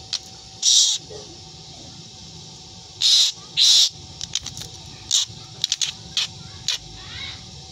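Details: Strange harsh screeches from a black drongo, a bird known to mimic cat meows: loud rasping hiss-like bursts, three close together, then sharp clicks and ticks, ending with a faint wavering meow-like note.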